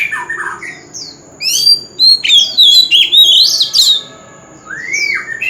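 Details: Wild-caught oriental magpie-robin singing, a recording used to stimulate other birds to sing: slurred notes, a pause, then a loud varied warbling phrase of sharp whistles, ending with a rising then falling whistle over a faint steady high tone.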